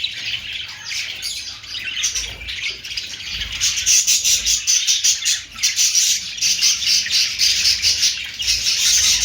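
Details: Budgerigars squawking and chirping nonstop, the chatter growing louder and denser after about three seconds into a harsh, crowded twitter.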